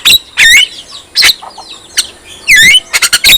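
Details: Javan myna song meant to provoke other mynas into singing and agitation: harsh squawks alternate with rising, buzzy whistled notes and short clipped bursts, loud and uneven.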